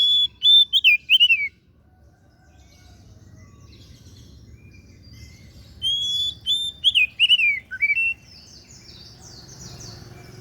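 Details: Oriental magpie-robin (kacer daput) delivering two rich song phrases about five seconds apart, each a steady whistle leading into quick falling, looping notes, with soft buzzy chatter afterward.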